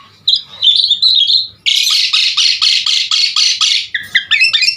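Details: Asian pied starling song meant to get starlings singing: a rising whistled phrase, then a harsh buzzy rattle of about eight rhythmic bursts, ending in twittering notes.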